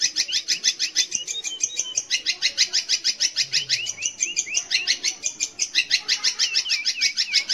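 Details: Long-tailed shrike, called cendet or pentet, singing as a lure for young or silent shrikes: a long, even stream of high pulsed chattering notes, about three per second, with interwoven curling whistles.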